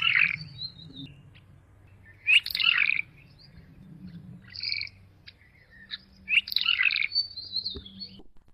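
Red-rumped Swallow giving short bursts of chirping, twittering calls, high-pitched and somewhat nasal, in clusters every couple of seconds; faint low background hum.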